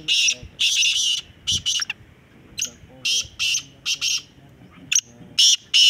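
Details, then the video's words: Black francolin calling during a calling competition: harsh, grating bursts of rasping notes in short groups, repeated irregularly, with faint background noise. "kala teetar ki awaz ka muqabala"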